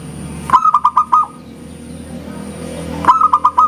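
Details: Local Zebra dove singing eagerly with a clear 'engkel' ending: two bursts of about five quick, bubbly cooing notes, separated by a pause, over a steady low hum.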